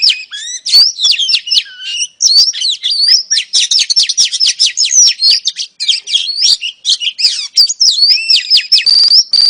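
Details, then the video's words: Female oriental magpie-robin luring a male: nearly ten seconds of loud continuous warbling, with fast runs of whistled slurs, dense chattering trills, and a sustained high whistle near the end. "KICAU KACER BETINA AMPUH PANCING KACER JANTAN LANGSUNG GACOR"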